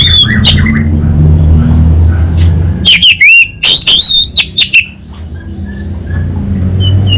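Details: Orange-headed thrush (anis bata), North Bali: a few soft notes, then a loud, fast series of piercing ringing whistles in short bursts, fading into quiet faint chirps against a low hum.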